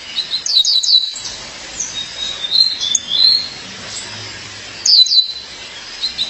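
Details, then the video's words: High, quick paired chips from a female violaceous euphonia summoning her mate, opening and closing the stretch, with quieter thin slurred whistles in between. "Fêmea de Guriatã, chamado seu parceiro."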